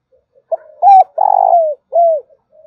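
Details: One cooing phrase from a spotted dove used as a lure bird: soft lead-in notes, a clear level coo, a long grating coo that drops at its end, and a final arched coo, followed by a quiet trailing note.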